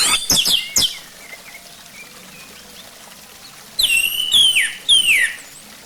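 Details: Orange-headed thrush song played as a lure to get a bird singing: after a few sharp high notes, a pause, then slurred whistled phrases sweeping down around the middle register with rich overtones.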